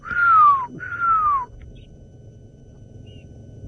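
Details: Southern Grey Hornbill at sunrise, about 5:30 AM on 7 March 2018, Djuma Game Reserve, Sabi Sand, South Africa: two soft, plaintive downward-sliding whistles, followed by a low safari vehicle rumble.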